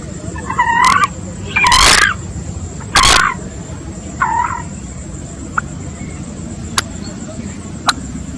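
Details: Eurasian coot giving a few harsh, nasal calls in the first half, mixed with rough broadband bursts, then near quiet with faint scattered clicks and a steady low hum.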